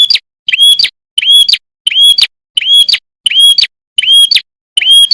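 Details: Red-headed prinia singing a rapid high phrase repeatedly, about every 0.7 seconds: a sharp chip, then a bright rising whistle that levels off.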